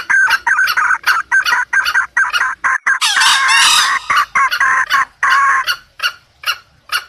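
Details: Junglefowl calls, used as a lure to attract wild junglefowl, in rapid repeated clucking bursts, about three per second, with a louder harsh cackling stretch in the middle.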